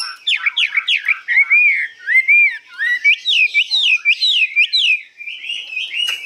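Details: Newly acquired Chinese hwamei, about 85% pure-bred, sings a loud, rich, long run of high, slurred whistles, sweeping up and down in quick repeated phrases with barely a pause, and no other sounds.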